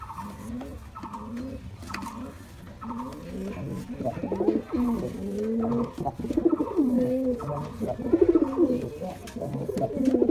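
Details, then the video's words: Male white pigeon cooing in rolling, wavering phrases that grow louder midway, while a higher, evenly repeated chattering note sounds about once a second throughout. "Pigeon Sound Effect || Male Pigeon Super Performance || White Pigeon"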